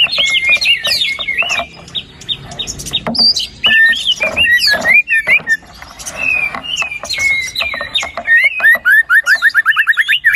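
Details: White-rumped shama singing, a recording meant to prompt a lazy bird to start singing: varied whistled sweeps and harsh notes, ending in a fast run of repeated short chipping notes.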